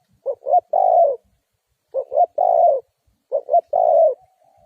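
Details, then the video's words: Lure spotted dove for catching wild doves, calling three quick phrases. Each has two short hoots and a long low coo, and a faint thin tone trails at the end. "Suara Tekukur Pikat"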